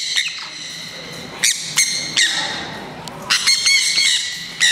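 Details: Green-cheeked parakeets in a Japanese bird park in Kakegawa, released into a larger zone with turacos and spoonbills. Loud, piercing screeches come singly or in pairs, separated by brief quieter gaps with faint chatter.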